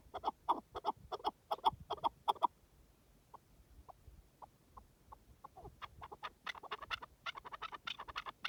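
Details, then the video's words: Partridge calling in the wild: a rapid run of loud clucking chuks for about two and a half seconds, then sparse faint notes, then a busier burst of sharper chattering notes toward the end. "Pure Partridge Calls in the Wild"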